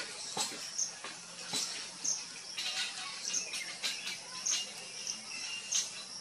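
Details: Three hungry Common myna juveniles in an old coconut-trunk cavity in sunny coastal Odisha give thin, high squeaky begging calls about once a second as a parent feeds them, with scratchy rustling and tapping.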